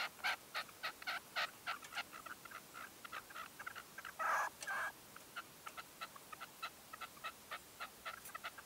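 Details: Red-legged partridge used as a hunting decoy, calling at a dawn shooting post in 2023: rapid runs of short, harsh, clucking notes, about three per second, broken by a longer rasping burst midway.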